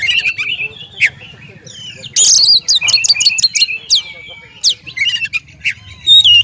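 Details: Oriental magpie-robin, called kacer, delivering loud harsh bursts, a quick series of rasping notes and scattered whistled slurs, ending on a rising clear whistle.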